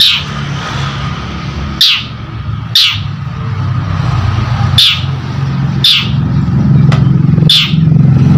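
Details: Long-tailed shrike calling steadily as a lure to trigger other birds: six loud, grating screeches roughly a second apart, with one sharp click between, over a constant low engine-like rumble.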